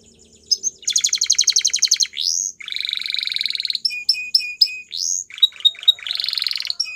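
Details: Belgian canary song for training: varied phrases with a buzzy rattling trill, upward slurred whistles, a lower rolling trill and clipped chip notes, mostly clear with faint background hum.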